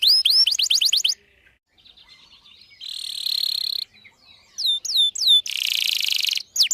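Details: Canary song used to prompt other canaries to sing, with quick rising whistles, quieter buzzy passages and a loud harsh trill, broken by soft pauses.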